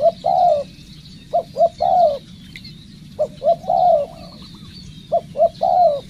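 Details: Spotted dove being trained as a decoy bird: three bursts of low cooing, each two short clipped notes then a longer, slightly falling coo, with a steady high insect hum behind.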